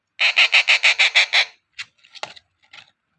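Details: Hand-fed rose-ringed parakeet (Psittacula krameri) chick calling because it is hungry and not fully fed: a fast burst of eight harsh, raspy screeches, about six a second, then a few softer scattered squawks.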